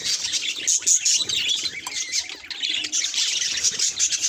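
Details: Budgerigar facing a mirror, giving a quick run of bright squeaky chirps followed by steady, high-pitched twittering chatter.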